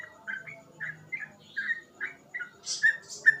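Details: Quiet, spaced-out gurgling whistles from a yellow-vented bulbul, each short and slurred, with a couple of higher hissy notes toward the end.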